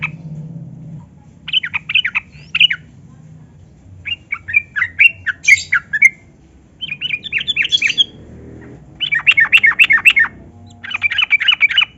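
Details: Lure recording of a yellow-vented bulbul singing continuously to prompt lazy captive birds: repeated clusters of sharp, fast chattering notes separated by short pauses, growing louder toward the end, with a low background hum.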